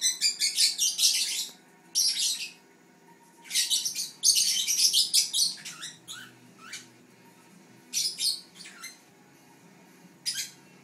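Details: Fischer's lovebird, one of a group of siblings, chirping in repeated rapid bursts of shrill, buzzy squeaks, pausing between bouts and ending with sparse single chirps, against a quiet hum.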